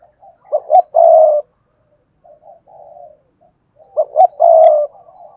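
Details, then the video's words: Spotted dove, Cườm Sa song style: two loud phrases of short rising notes ending in a sustained deep coo, with softer, quieter cooing in between. "tiếng chim cu gáy bài bản Cườm Sa"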